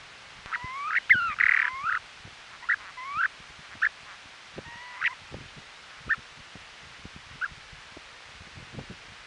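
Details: Trail camera at Ormond Beach, Oxnard, California, during the 2018 western snowy plover nesting season: a cluster of slurred and buzzy calls early on, then sparse single notes over soft clicking and tapping sounds.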